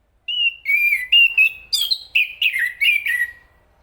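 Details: Enggano thrush, a caged songbird, giving a short run of clear whistled phrases around 2–4k, some sliding and slurred, in quick bursts of about ten notes over three seconds, with a quiet background.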